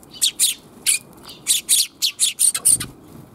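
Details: Several sparrows in a back alley on 28 January 2022, heard on the way out: a quick run of sharp, high chirps, about nine short notes in three seconds, loud and clear over quiet background.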